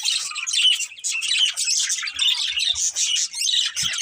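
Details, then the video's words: Pet budgerigars chirping steadily: a busy stream of high, scratchy warbles and quick tweets from more than one bird, loud and nearly unbroken for the whole stretch. "Cute Budgies Chirping Sounds"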